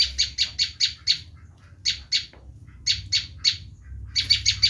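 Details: Bar-winged prinia screaming call for luring wild prinias: short clusters of two to five harsh, high notes separated by brief silences, ending in a quick flurry.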